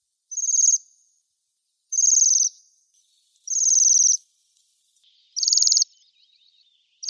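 Bohemian waxwing giving high, thin, buzzy trills, each under a second long and repeated about every one and a half seconds; nothing else is audible.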